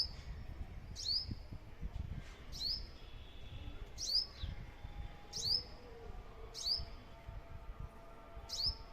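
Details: Sparrow chirping in a garden: short, sharp, high chirps with an upward flick, repeated steadily about every one and a half seconds over faint low rumble.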